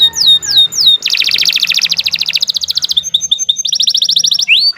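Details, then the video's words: Canary singing nonstop for tutoring songbirds: three sharp downslurs, a loud rapid trill, a row of short whistles, another fast trill and a closing upsweep. "Kicau Burung Kenari II GACOR PANJANG"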